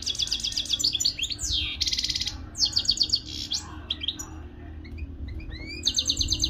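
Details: Local Moroccan European goldfinch singing: fast liquid twittering with rapid buzzy trills, sweeping slurred whistles and short chattering bursts, nearly continuous with brief pauses and a faint low hum beneath.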